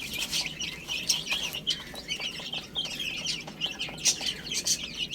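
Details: Chicks feeding on spinach, rapid thin chirps running almost without pause, many overlapping voices, with occasional sharp clicks.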